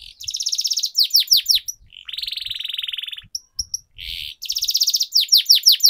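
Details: Canary with a long roll, singing for training: rolling trills alternate with bursts of downward-sweeping whistled notes, plus short chips between phrases.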